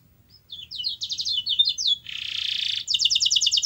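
A canary sings fast, high rolling trills of repeated notes, breaks into a harsh buzzy rattle, then returns to a rapid, even-paced tour. Faint low hum behind.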